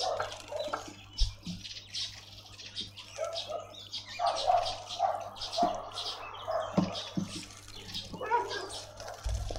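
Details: Dark-capped bulbul bathing in a garden bird bath in suburban Pretoria, South Africa, giving short, bubbly chattering calls in loose bursts, with splashing water and a low steady hum underneath.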